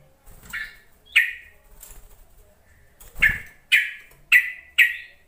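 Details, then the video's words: Yellow-vented bulbul calling to prompt silent, newly caught bulbuls to respond: a series of harsh, sharp chirps, spaced irregularly at first, then repeated about every half second. "Suara panggilan trucuk untuk memancing trucukan bahan ombyokan malas bunyi"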